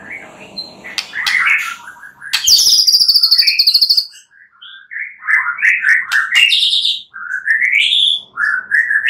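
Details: Night-time white-rumped shama song meant to encourage singing: rich varied whistles, a loud high buzzy trill, then rising clear whistled phrases and slurred notes.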